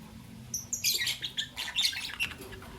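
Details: Albino and Euwing green opaline lovebirds kept as pets, in the morning: a burst of sharp, high, buzzy chirps and squeaks tumbling together over about two seconds, with a faint steady hum in the background.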